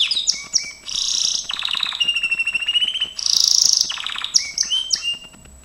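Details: Gloster canary in training song: a varied run of short whistled chirps, buzzy rapid rolls, a long steady trill and a loud high rattling burst, with phrases changing every second or so.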